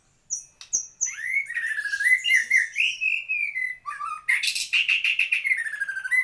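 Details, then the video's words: White-rumped shama, a prized songbird, in loud continuous song: high piping notes, then a rapid stream of rich whistles and chattering, ending in a dense rattling trill with descending whistles. "Kicau Murai Batu"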